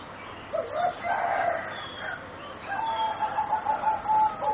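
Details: Juvenile competition singing zebra doves, roughly 3.5 to 4 months old, one of four young birds, give a rolling cooed phrase followed by a longer, steady, hollow whistled note, against faint room hiss.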